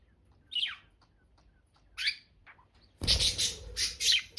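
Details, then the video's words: Budgerigars chirping: a few separate high, downward-sweeping chirps in the first two seconds, then a loud, dense burst of rapid overlapping chirps and tweets through the final second and a half. "Budgiesss!! Come out 🤫 || Budgies sound || Chirpy Birds"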